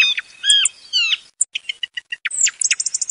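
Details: Thrush voice played as a hunting lure: short whistled phrases, a few drawn-out falling notes, then a fast run of sharp, clipped repeated notes and high twittering trills, with no other sounds.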